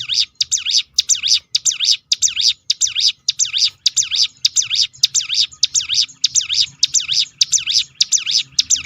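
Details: Rolling 'tembakan' call of a hill prinia, meant to lure other birds into song. Steady stream of high, V-shaped chipping notes, close and loud, repeated almost twice per second without a break.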